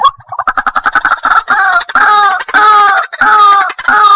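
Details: White-breasted waterhen lure call, made for daytime trapping to draw shy birds closer; a quick run of short pulsing notes gives way to loud, harsh, nasal repeated calls with strong overtones, almost without pause.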